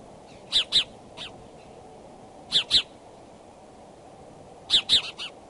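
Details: Bald eagles courting at the Decorah nest on a February 2012 morning, possibly mating; high piping notes come in paired or tripled bursts about every two seconds over faint background hiss.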